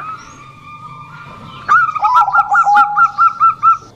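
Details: Bangkok zebra dove: a long, steady faint tone, then a sudden burst of quick bubbling coos at two pitches, repeated several times a second.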